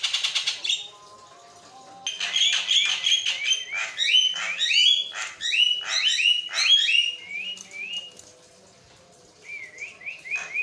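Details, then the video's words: Javan myna (jalak kebo) singing nonstop for training other mynas; loud rattling chatter with stacked whistled and rasping notes, ending in a series of short rising whistles. "jalak kebo ngoceh tanpa henti, buat masteran dan pancing bunyi"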